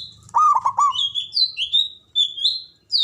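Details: Javanese zebra dove, a local bird with a loud voice, used to rouse breeding drive in other doves. One quick run of three or four bouncing coos, followed by high, sliding whistles from other birds.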